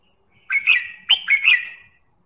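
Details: Red-whiskered bulbul song meant to stimulate singing: two rapid phrases, each a rising slurred whistle followed by bright warbling notes, clear and loud against a silent background.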